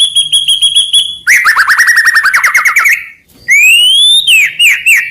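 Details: White-rumped shama (murai batu) gacor song for stimulating other shamas: a long steady pure whistle, a fast rising trill of repeated notes, a short pause, then a loud upward-sliding whistle breaking into quick slurred notes.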